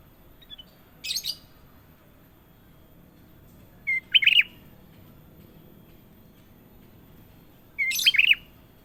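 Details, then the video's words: Sooty-headed bulbul, called kutilang emas, sings clear gacor phrases about every three to four seconds. Each is a short whistle leading into a bubbly warble, mixed with brief higher, scratchy bursts. Background is faint and steady. "KUTILANG EMAS PALING MERDU! Suara Gacor Panjang"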